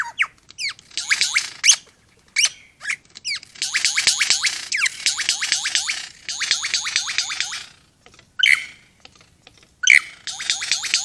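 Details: A wild male superb lyrebird, near Lakes Entrance in East Gippsland, Victoria, sings loudly just inside a gate: sharp downslurred whistles alternating with long bursts of rapid, rattling trills and brief pauses. These are his own sounds, not man-made ones.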